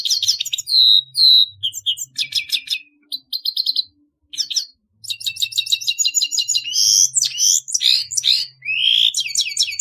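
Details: Grey-headed goldfinch song, a lively jumble of high twittered notes, buzzy trills and quick rising whistles, delivered in fast runs with a short gap near the middle.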